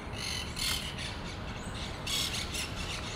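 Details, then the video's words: Monk parakeet colony at communal condominium-like nest, Pasir Ris Park: harsh, grating squawks in bursts, several birds overlapping, over a low background rumble. "Monk Parakeet colony"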